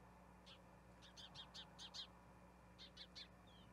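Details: At a Johannesburg Spotted eagle-owl nest on 21 October 2021, while the male hands a rat to the female to feed two owlets: rapid run of about eight high, rasping chirps, a pause, then three more, over low hum.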